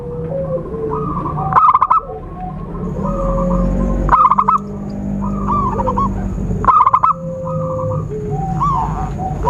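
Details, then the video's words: Zebra dove lure sound for trapping: three loud bursts of rapid staccato cooing notes, about two seconds apart, over steady tonal whistles from other birds and a faint high-pitched whine. "Suara Khusus PIKAT burung Perkutut/Merbuk"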